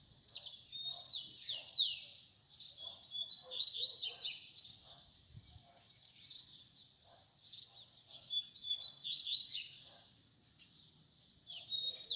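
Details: Double-collared seedeater in fibra song meant for tutoring young birds, delivering repeated bursts of quick, sliding high chirps and buzzy notes in phrases of about two seconds, separated by short pauses.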